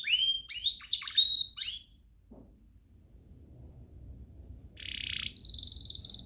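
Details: Canary master training song: a burst of varied high whistled and sweeping notes, a quiet pause, then a steady high buzzy trill building toward the end.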